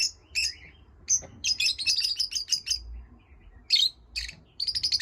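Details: Pet lovebirds chirping indoors: bursts of high, sharp chirps and a fast rattling chatter, with short quiet gaps between calls.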